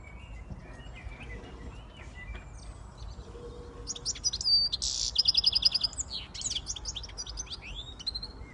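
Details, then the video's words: Siskin x goldfinch hybrid singing: a quiet lead-in of thin high notes, then a loud burst of rapid trilled, buzzy twittering with a fast run of repeated chips around the middle, fading into scattered chirps. "Switty Siskin x goldfinch"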